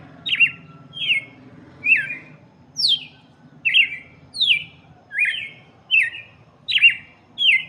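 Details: Red-cowled cardinal song for chicks: a fast, loud run of short descending chirped notes, about ten in under eight seconds, over a faint low hum.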